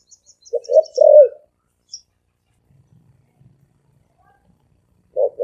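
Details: Spotted dove, the thổ ồm vang type of cu gáy, giving a short cooing phrase: a few soft notes leading into a longer falling coo, then quiet with a faint low rumble before another coo starts.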